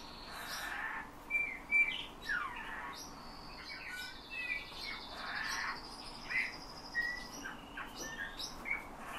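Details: Owner-trained Eurasian bullfinch reproducing whistled phrases learned from him, plus nightingale and thrush motifs; a long quavering whistle, a descending slurred note and scattered bright chirps follow one another.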